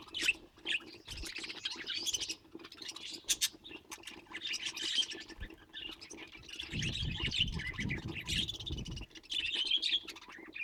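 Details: Domestic budgies bred for colour mutations warble and squawk in a crowded, lively chorus of rapid chirps. A low rumbling background rises partway through.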